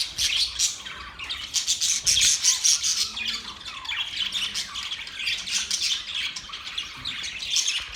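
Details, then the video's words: Happy budgerigars chirp together in a busy stream of scratchy, high-pitched warbles and short squawks that rise and fall in quick pulses over several seconds. "Birds chirping sounds"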